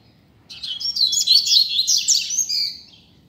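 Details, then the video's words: Double-collared seedeater singing outdoors in a street, a loose bird: one rapid phrase of varied high chirps and slurred whistles, lasting over two seconds over a quiet low hum. "COLEIRO SOLTO NEM SABE PRA ONDE VAI!!! Dando Show na Rua!!!"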